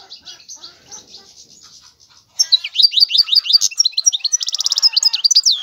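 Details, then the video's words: European goldfinch singing: after two seconds of faint, soft twitter, a loud, rapid stream of high, liquid twittering notes bursts in, with slurred rising-falling chirps and a short buzzy trill, delivered fast and without pause. "تغريد الحسون هو اجمل صوت العصافير"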